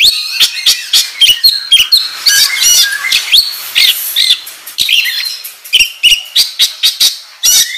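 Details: Kacer, the oriental magpie-robin, singing in the ngobra style on a lure recording. Long fast sequence of clicks, chips, buzzy notes and brief whistles, packed tightly with barely any gaps.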